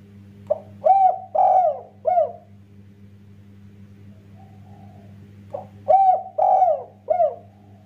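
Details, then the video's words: Spotted dove song in the 'kuk 1' style, used to make other doves sing: two cooing phrases, each a short opening note followed by three mellow, slightly falling coos, separated by a pause, over a steady low electrical hum. "Burung derkuku tekukur master gacor kuk 1,Paling cepat bikin tekukur lain ikutan bunyi"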